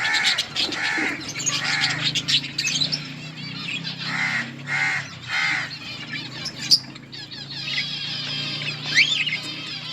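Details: Colony budgerigars give pulsing bursts of harsh, warbling chirps over a low, constant hum, with a few sharp higher squeaks near the end.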